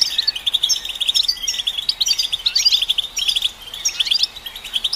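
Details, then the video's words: European goldfinch song for stimulating goldfinches, a dense, bright twitter of quick chirps and buzzy, rattling trills in steady bursts with a brief pause before the end. "Golden Songbird vocal performance to stimulate the goldfinch"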